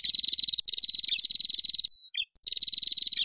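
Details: Prinia calls, male and female birds noisily calling, used as a lure sound: fast, even series of sharp high chips, roughly three per second-fraction, running in long bursts broken by a short pause and a brief squeaky note.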